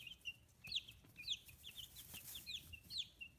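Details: Clear falling cheeps from fifteen-day-old chicks whose feathers are growing, raised free-range in Kitahiroshima, Japan, spaced roughly every half second with light scratching noises between.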